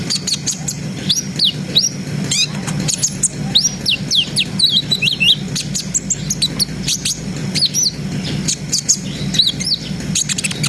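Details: Brown-throated sunbird in a lively, continuous ngriwik and ngerol song, used to raise breeding arousal in untrained birds: dense bursts of sharp high chirps and quick rising and falling whistled sweeps, with a steady low hum underneath.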